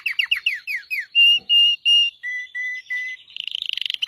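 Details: Red Belgian canary song: a run of quick downslurred chirps, then pure, flute-like whistled notes held steady and dropping a step, finishing in a rapid high trill.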